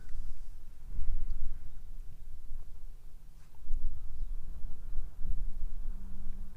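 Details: Low rumbling outdoor noise with a steady hum and soft thumps, with no clear animal calls.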